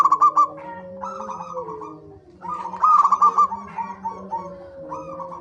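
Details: Zebra dove singing as a lure to get birds calling: quick stuttered coo phrases, one loud burst near the middle, set against softer overlapping tones and a continuous low drone.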